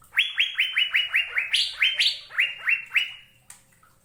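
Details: Asian fairy-bluebird singing a quick run of clear upswept whistles mixed with two higher, brighter notes, slowing toward the end and finishing with a single sharp click.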